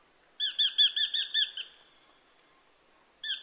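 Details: Eurasian hobby calling: a quick run of about nine sharp, ringing, slightly downslurred notes lasting just over a second, a pause, then another run beginning at the end. Clean background, no other sounds.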